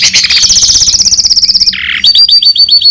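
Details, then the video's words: Goldfinch–canary hybrid giving a rapid stream of repeated bright notes, a low buzzy phrase, then a string of thin high twitters. "Гибрид щегла с канарейкой/ سایره کنری/ hybrid of goldfinch and canary"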